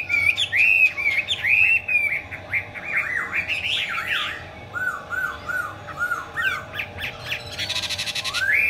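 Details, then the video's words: Chinese hwamei in 'hót xòe' spread-tail song with eagle-wing display: rich varied whistled phrases, a run of lower repeated looping notes, then a brief harsh buzzy burst and a rising whistle. Low hum throughout. "chim họa mi hót xòe, chơi cánh đại bàng"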